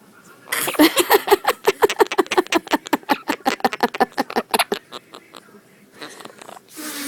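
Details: Indoor pet Quaker parrot laughing during a biting game it plays with its owners: a long, steady string of clipped, raspy ha-ha pulses, nearly three per second, tapering off before a person speaks again.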